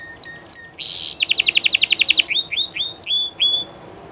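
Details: Llarguet español canary singing live: a few high chirps, a brief buzzy burst, then a fast run of repeated bright notes, about a dozen per second, giving way to slower sliding whistled notes. The background is quiet.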